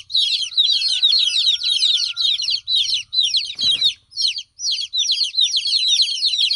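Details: Baby chicks in full chorus, shrill descending peeps crowding together in rapid waves, a short knock midway and a faint low hum at times.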